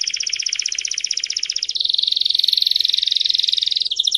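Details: Canary song training: a fast pulsed trill drops into a denser, lower rolling trill, then ends with a brief pitch change.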